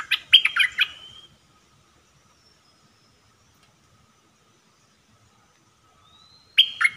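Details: A red-whiskered bulbul in a cage, singing decoy song for trapping, dated 1 September 2021. It gives a lively burst of rapid chirping notes, then a long silence with faint distant whistles, and a new phrase starts at the end.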